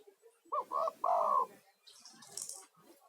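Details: Male spotted dove calling strongly, used to attract other doves and soothe stressed caged birds: a single deep, rolling coo phrase of two short notes and a drawn-out third, then a brief hiss.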